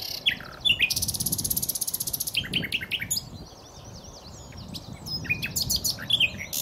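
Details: Common nightingale song opening with sharp notes, then a fast buzzy trill of rapidly repeated pulses for about two seconds, followed by varied slurred whistles and clipped chirps.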